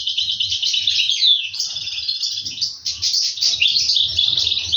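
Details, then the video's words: European goldfinch young begging as the adults feed them, recorded in 2023: a constant, shrill, buzzy chorus of rapid high chirps that swells and fades slightly, accompanied by faint low knocking sounds. "طيور الحسون تطعم الفراخ في السلاكة 2023"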